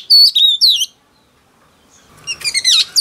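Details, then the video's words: Female oriental magpie-robin singing to excite a male: bright whistled phrases with descending slurs, a pause, then a rapid jumbled burst of sharp high notes. "Choè than mái bổi lên giọng hót kích trống cực chất"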